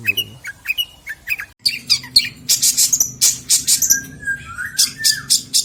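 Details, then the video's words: Long-tailed shrike song with rich varied fill-ins, used as training material for other songbirds: sharp high chirps repeated rapidly, then a long run of bright buzzy notes and a descending whistle near the end. "Burung Cendet materi MEWAH"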